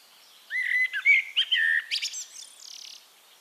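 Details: Singing Eurasian blackbird recorded in Castricum, Netherlands, delivers one rich warbled phrase of low fluty notes that breaks into a thin, high, scratchy twitter at the end.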